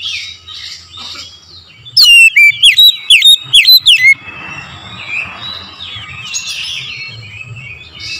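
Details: Lure song of an oriental magpie-robin in the morning: a two-second burst of loud, ringing whistles with sharp downward and upward slurs, flanked by quieter warbling from more distant birds.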